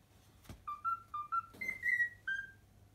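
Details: Domestic cockatiel whistling the Pythagora Switch theme after a soft thump: four short pure notes, then two longer gliding whistles and a final falling note.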